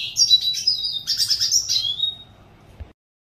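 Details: Red siskin singing: a rapid run of high, bright twittering notes and trills with buzzy slurred phrases, lasting about three seconds, then silence; faint low rumble underneath.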